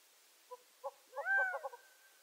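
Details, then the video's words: Gambel's quail gives two soft low clucks, then a loud, drawn-out slurred note followed by three quick clipped notes, all within about a second, in an otherwise quiet setting. "Gambel's Quail"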